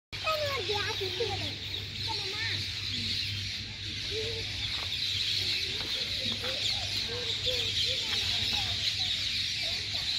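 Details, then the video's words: Huge flock of ringneck parrots chattering in big trees early morning at sugar factory quarters before flying off to feed: a dense continuous wash of high chirps and screeches, with some lower squawks and a steady low hum. "Loud Parrot Chirping"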